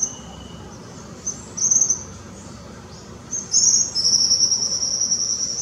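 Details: A young Tropical kingbird at Parque da Chacrinha, Rio de Janeiro, in February 2019, giving thin high twitters that build into a longer sustained chattering trill toward the end, over a persistent low hum.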